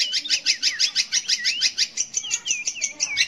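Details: Song of a long-tailed shrike, played to coax young or non-singing shrikes into song: quick series of bright notes, about three a second, each pairing a high tick with a curved whistled slur.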